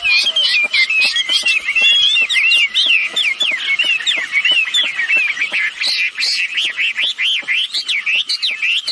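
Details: Lure recording of male and female red-billed blue magpies meant to set other birds calling: quick wavering whistles that later turn into looping, arched notes, about two or three per second, over dry clicks.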